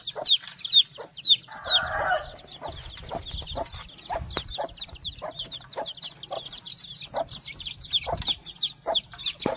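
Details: Many chicks give busy overlapping high cheeps with falling pitch, joined briefly by a short burst of lower clucking near the start, over faint background clatter.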